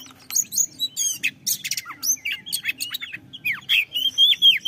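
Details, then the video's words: Oriental magpie-robin singing, a recording meant to spur other birds into song; rapid scratchy notes give way to clear slurred whistles rising and falling, ending in a sustained high whistled phrase over a faint low hum. "AMPUH MERANGSANG BUNYI KACER !!!"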